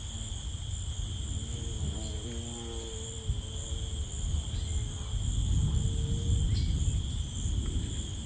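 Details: Tinamou singing in rainforest: a series of soft, pure whistled notes, some wavering and stacked in overtones, running for about two seconds, then a single longer level whistle, over a steady low rumble and constant high insect hiss.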